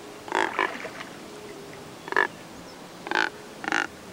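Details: Neotropic cormorants at Lake San Pablo, Imbabura, Ecuador, resting in a noisy flock while others peck and shove; short grunting croaks, single or paired, spaced about a second apart over a faint background.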